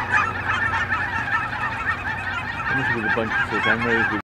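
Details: Flock of migrating geese in a park giving a steady wash of overlapping honks, with a few louder, clearer nasal honks standing out near the end before the sound cuts off.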